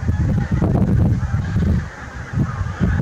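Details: Large flock of geese recorded on 8 April 2021, giving dense overlapping low honks in a continuous clamour, with deep rumbling background noise throughout.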